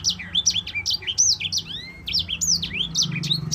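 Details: Yellow-fronted Canary (sanger), a lively bird singing a long rolling song, used as a master recording to tutor other songbirds: rapid, dense run of high, sharply swooping whistled notes with occasional longer rising slurs, continuous throughout, faint low hum underneath.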